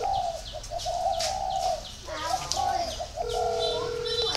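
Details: Spotted dove kept at a dove breeding garden in Ba Vì, Hanoi, Vietnam, cooing in a run of low rounded notes. High chirps from other birds come between phrases, and a steady electronic tone sounds near the end.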